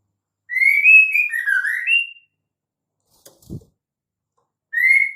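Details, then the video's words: Luring call of a female white-rumped shama to stimulate male song: a varied whistled phrase with upward slurs and a lower dipping middle, a soft knock after a pause, then the next phrase beginning. "suara KHAS murai batu BETINA untuk Pancingan Murai jantan AGAR GACOR"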